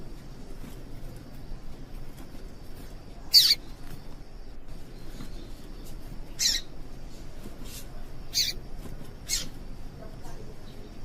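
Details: Female yellow-bellied seedeater calling to excite males into song for singing tournaments; short high, sharp chirps scattered at irregular intervals of one to three seconds, with faint hum beneath.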